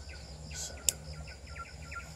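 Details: Pin-striped tit-babbler calling unseen at Genting Highlands during birdwatching: a faint, rapid series of short, slightly downslurred notes, roughly four per second, over a high steady insect drone, with one sharp click partway through.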